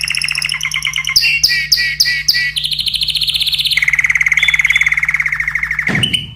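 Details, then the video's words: Excited yellow canary in full song: loud, fast bright phrases shifting between high chirps, buzzy notes and long rapid rolling trills, ending in a sharp upward sweep, with a low steady hum underneath. "تغريد كناري أصفر"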